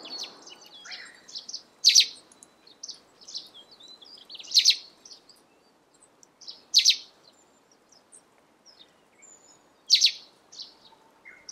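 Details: On a morning at Senjogahara, Oku-Nikko, a chestnut russet sparrow sings loud, bright chirped phrases about every two to three seconds, with softer twittering notes between them.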